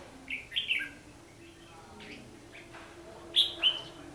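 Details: Red-whiskered bulbul singing a fighting song as a trapping lure, 14 December 2015: two short clear phrases of bright whistled notes, one near the start and one near the end, with quieter chirps between.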